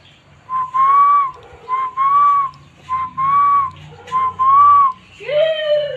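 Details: Spotted dove cooing: four drawn-out, clear tonal notes, each swelling slightly upward then holding steady, spaced about a second apart, followed by a brief rough sliding sound at the end; quiet indoor background.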